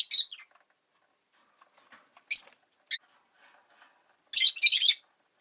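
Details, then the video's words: Rosy-faced lovebirds, five pet birds caged by a window, calling in winter: scattered harsh high chirps, then a dense jumble of raspy chattering notes toward the end, with faint background murmur. "冬とか関係なく良く鳴く子【Lovebird Chirping Sounds"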